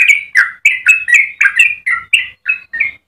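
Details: Yellow-vented bulbul in full song, a long rapid 'ropel' burst used to tutor or lure other bulbuls: ten bubbly, gurgling notes in three seconds, each a quick warbled slur with bright overtones, separated by short gaps.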